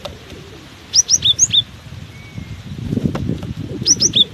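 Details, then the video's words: Singing through strong wind, a cinereous tit gives two short bursts of five high, quick, downward-sliding whistles, separated by a gusty stretch of low wind noise. "Diterpa angin kencang! burung gelatik batu ini tetap gacor"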